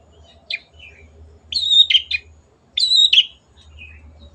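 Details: Long-tailed shrike, a songbird kept in a cage, singing on a training recording: two loud, harsh phrases with whistled tones and rasping downslurs, about one second apart, with a faint low rumble behind.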